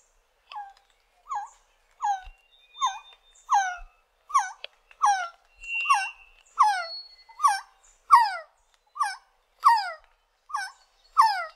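Resplendent quetzal giving a steady series of mellow, slurred whistled notes, one roughly every second, with faint thin whistles of other birds behind.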